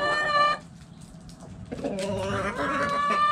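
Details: Backyard chickens in the coop: a sustained tonal call cuts off, a quiet pause follows, then several birds resume clucking and a long harmonic call.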